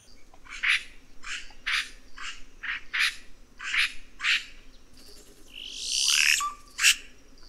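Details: Red-rumped cacique giving a fast run of clipped, rattling notes about twice per second, then a harsh squawk that swoops downward. A constant low rushing noise sits behind it.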